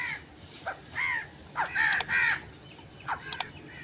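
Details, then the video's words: Crow cawing: harsh, hoarse caws in short bursts. Several arch-shaped calls come close together near the middle, then a brief sharp call follows after a pause. "Crow sound effects"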